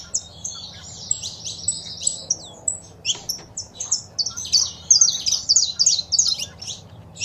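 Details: Saffron finch male song with female calls, used to rouse pet birds to sing. Busy, overlapping high chirps and buzzy notes in a near-continuous run, briefly pausing around the middle.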